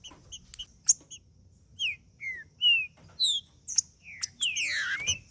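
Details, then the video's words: Trinca-ferro (green-winged saltator) singing 'macheando' to warm up another saltator: separate short slurred whistles and sharp clicks over a low hum, ending in a louder tangled burst of descending notes. "Trinca ferro Macheando com Trinca ferro cantando Para Esquentar Trinca ferro"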